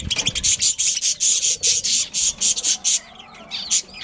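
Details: Budgerigar breeding pair within a colony, giving harsh, scratchy chirps in a fast, fairly even run of about five per second for three seconds, then a brief pause and a couple more.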